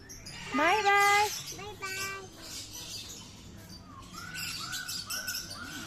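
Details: Common hill myna that can talk gives a loud, voice-like phrase, then a shorter spoken-sounding burst, followed by a run of short, downward-arching chirps repeated about every half second.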